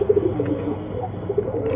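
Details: Bengali high flyer pigeon of an old local line making short, low coo notes repeated in quick, uneven pulses over a low hum.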